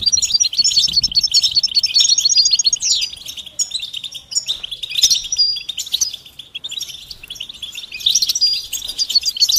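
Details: Goldfinch betbeta and setseta song with mating calls, aimed at stirring silent males: rippling series of bright repeated notes, then scattered chips and twitters, several short pauses, trills returning at the end.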